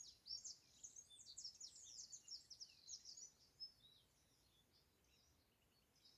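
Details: Bird chirping outdoors among greenery: dense, rapid high-pitched twitters and short sweeping chirps crowd the first four seconds. The calls then thin out to faint scattered peeps over a soft background hush.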